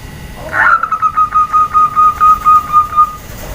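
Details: Female zebra dove calling to provoke males and other doves into answering. It gives one rapid, even trill of about a dozen soft pulsed notes at a steady mid pitch, lasting roughly two and a half seconds, with a quiet background.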